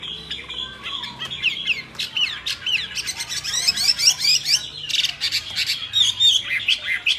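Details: Myna singing softer, scratchy chatter mixed with short whistled slurs and rapid buzzy bursts, uneven in rhythm, with a faint low hum behind.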